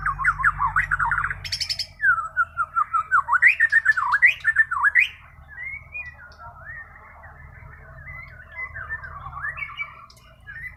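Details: Bornean white-rumped shama in full natural, untutored song: a fast string of loud rising and falling whistled notes for the first half, then softer, rambling warbled phrases over a faint low hum.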